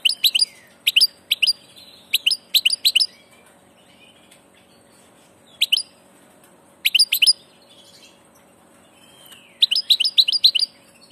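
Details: A migrant passage goldfinch gives short clusters of three or four crisp, clicking tweets, repeated every second or two, with long quiet pauses between the groups.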